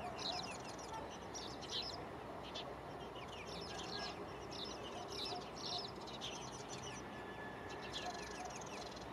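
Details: Spanish sparrow choosing its next nesting site in Gáldar, Gran Canaria, in February 2023. Short, bright chirps come in loose clusters across the whole stretch over steady background noise.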